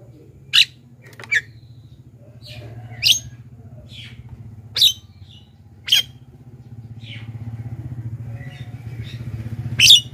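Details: Black-winged myna lure calls for attracting wild birds: short, sharp screeching notes repeated roughly every one to two seconds over steady low engine-like rumble.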